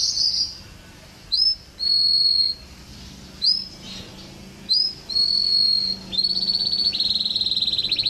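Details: Canary singing in an Indonesian training compilation: short bright whistled notes and slurs separated by pauses, then a sustained fine high trill that runs to the end.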